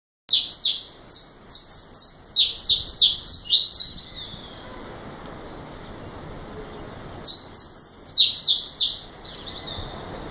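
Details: Juvenile saffron finch of the nominate subspecies, five months old and still in brown plumage, singing bursts of rapid high descending chirps, about three per second, two phrases separated by a pause of roughly three seconds.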